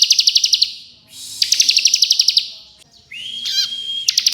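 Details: Bar-winged prinia giving a fast, close-spaced drilling trill meant as master audio for training songbirds: two long buzzy stuttering trills, then a thin level whistle with a rapid warble, and a final trill burst.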